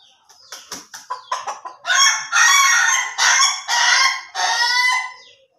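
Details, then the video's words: Ayam Ketawa cock crowing, opening with quick clipped staccato notes that build into four long, loud, rough cackling phrases, the laughing-style crow. "AYAM KETAWA SLOW VS AYAM KETAWA DURASI"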